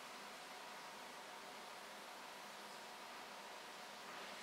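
Only a soft, even hiss of background noise is heard throughout, with no animal voice.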